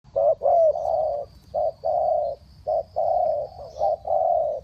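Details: Spotted dove cooing used as a decoy to call down wild birds: low soft coos in groups, short notes followed by longer drawn-out ones, with a faint steady high whine behind.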